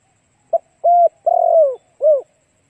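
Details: Spotted dove song used to attract other doves: one clear phrase of four low coos. A quick note, an even coo, a prolonged burred downward coo and a soft falling final note, in silence.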